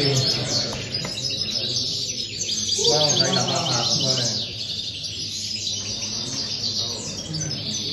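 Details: European goldfinch singing at a silvestrismo singing competition in Tarragona, Spain, on 26 January 2020: rapid high, bright twittering and tinkling phrases repeated quickly, with people talking in the background.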